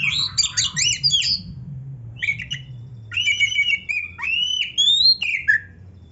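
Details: Oriental magpie-robin singing an elaborate varied song: a rapid harsh chattering burst first, then long clear whistles that rise and slide, including upward-sweeping notes, over a low droning hum.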